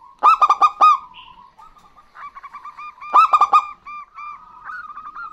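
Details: Local zebra doves, female and male, trade song. Loud groups of five rapid harmonic coos open each phrase, then give way to softer, evenly paced short notes.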